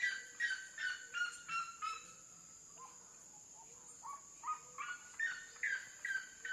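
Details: Red-legged seriema song: loud series of yelping notes with rich harmonics, repeated about twice a second, fading in a pause mid-sequence, then resuming; a steady high insect-like whine runs throughout.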